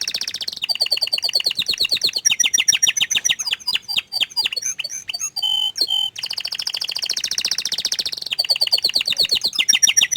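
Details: A canary sings a long chain of rapid trills, high buzzy rolls alternating with chopped staccato passages and a brief downward-swept phrase midway.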